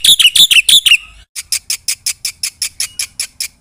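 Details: Energetic Black-winged myna song full of borrowed phrases: a burst of loud, harsh squawking notes, a short pause, then sharp, evenly spaced chirps repeated about four times a second.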